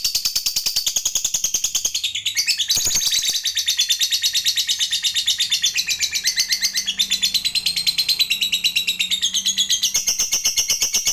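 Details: Lovebird call used to make other lovebirds answer: a long, unbroken stream of fast, harsh, high chattering pulses with brief changes in texture, over a faint low background hum.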